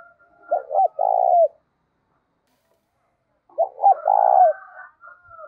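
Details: Spotted dove kept as a decoy bird to lure wild doves, singing in the 'giọng thổ' voice style: two low cooing phrases, each two short clipped notes followed by a longer throaty coo, separated by about two seconds of silence.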